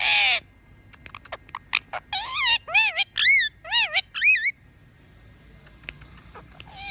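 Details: Talking pet parrot opening with a harsh squawk, then a fast series of about eight looping, wavy whistled notes, followed by faint clicks and quiet.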